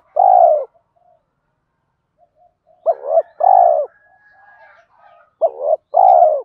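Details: Cooing spotted doves, male and female, for stimulating doves being trained. One long mellow coo, a pause, then two phrases of a quick double note and a drawn-out falling coo, with soft faint murmurs.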